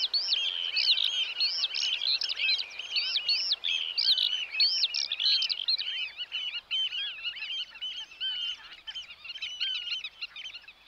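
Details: Eurasian oystercatcher, Netherlands, in a long, excited stream of piercing piping notes that stays loud at first and then eases slightly, over a soft hiss of background noise.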